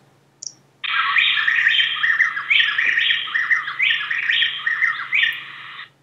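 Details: A Plain-tailed Wren pair duetting on the slopes of Antisana volcano in the Andes near the equator: male and female each sing about four syllables, alternating so fast the rapid, rich whistled phrases sound like a single bird.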